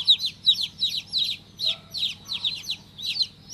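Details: Baby chicken, freshly hatched, giving clear shrill peeps that drop in pitch, spaced roughly every third of a second, each loud and distinct, soft hum beneath.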